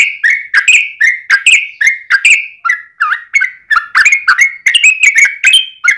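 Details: Singing yellow-vented bulbul used as a lure to get other bulbuls singing, in long 'ropel' fighting style; a continuous stream of loud, liquid, varied bubbly notes, some rising, some falling, with no pauses.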